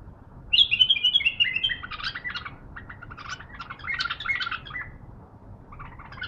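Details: Bulbul, a caged hand-raised bird still being trained, singing in reaction to a wild bulbul: a bright descending whistled phrase followed by a run of chattering, warbled notes, with a low background hum.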